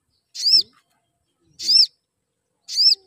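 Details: A crimson sunbird chirps, its calls used as a lure to make other sunbirds sing more. Three bright, high, arched chirps are heard about 1.2 seconds apart against near silence.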